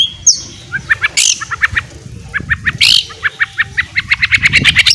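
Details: Ngeriwik song of a white-rumped shama, played to coax shamas into full song: a stream of short, chattering notes quickening to a dense run, with two loud, rasping bursts in between.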